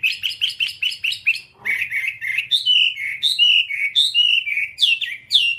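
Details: Whambie song, one-hour nonstop tutor recording for training kept birds: a fast run of short repeated chirps, then a chain of clear, slurred whistled notes rising and falling, each about half a second long.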